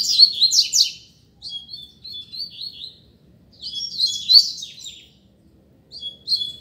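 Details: Caged coleiro competing in song: rich rapid warbles, then a series of thin whistled notes, another burst of fast trilling, and closing whistles, with very short pauses.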